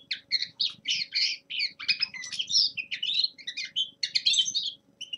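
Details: A young male common linnet practises its song in winter, delivering a steady stream of rapid chirps, nasal twitters and short rolling trills with barely a break.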